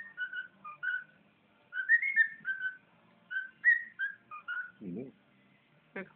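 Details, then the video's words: Household pet bird giving a run of whistled notes in a bouncing melodic pattern, several slurred upward, with a short low warbling sound near the end and a quiet hum behind. "bird whistling"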